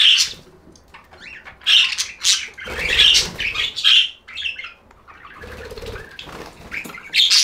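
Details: Pet budgerigars chattering loudly: rapid squawks and bright chirps tumbling together, with occasional low thumps and rustles beneath.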